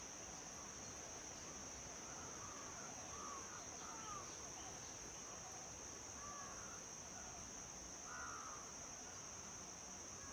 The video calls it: Lesser whistling duck